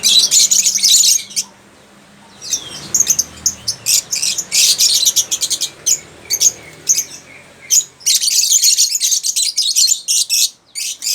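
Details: Lovebirds giving bursts of shrill, high squawking chirps in dense rapid runs, with a quieter pause in between before the chattering resumes.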